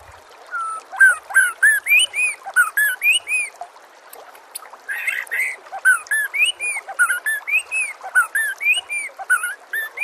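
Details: White-rumped shama song for training other birds, mixed with nature sounds and trickling water: rapid varied phrases of rising and falling whistles near mid pitch, with high sharp chips layered above, about three notes a second.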